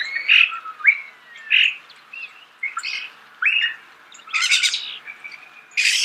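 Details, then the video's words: Close-range starling song made of short whistles and upslurred notes, followed by chattering bursts and loud, buzzy, rasping phrases toward the end. "The song of the starling"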